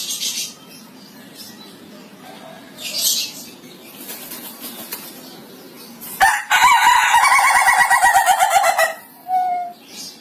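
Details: Ayam Ketawa (laughing chicken) crowing: after about six seconds of faint background noise, a loud, rough, stuttering crow breaks into rapid pulsed syllables for nearly three seconds, followed by one short, lower call.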